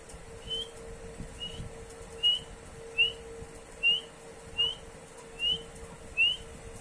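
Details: Partridge calling in a steady series of short, high, rising whistled notes, eight of them about one every 0.7 seconds, over a constant low electrical hum.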